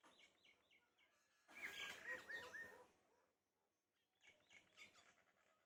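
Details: Common mynas on a morning in West Bengal give varied chattering bursts, short squawks and whistles among softer chirps, with a noisy stretch of overlapping calls in the middle.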